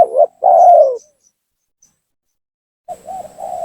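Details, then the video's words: Spotted dove lure coo, intended to draw rival doves down: a clipped note and a long, strong falling coo, then silence before a softer wavering coo. "suara pancingan gacor tekukur memaksa menurunkan lawan,bikin emosi lawan"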